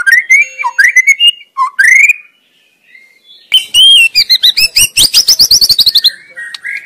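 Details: White-rumped shama in the wild, singing busily with varied whistled phrases and short slurs, a brief pause, then a loud rapid burst of high, sharply repeated chattering notes before lower whistles return.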